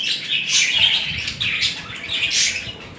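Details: Budgerigar pair during mating, with romantic movements between the two birds: continuous high, scratchy warbling chatter rising and falling in three swelling phrases, with no pauses.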